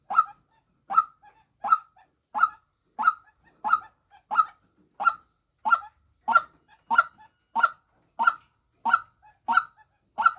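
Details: Female white-breasted waterhen repeating a coarse, goose-like croak roughly every 0.6 seconds in a long steady series, a faint short note sometimes tucked between the main calls.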